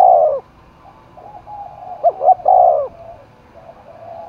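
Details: Spotted dove in Dong Nai, Vietnam, roused for contest, giving a full coo of two short notes and a long falling note, with softer background coos around it.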